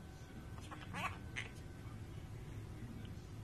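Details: Pet bird mimicking speech, swearing at its owner; a few harsh, voice-like syllables in quick succession over constant low rumbling noise.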